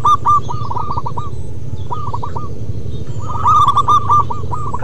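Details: Zebra dove of local stock singing 'manggung': short cooing series of four to six clipped notes, then a long loud rapid stuttering phrase near the end, steady low background hum.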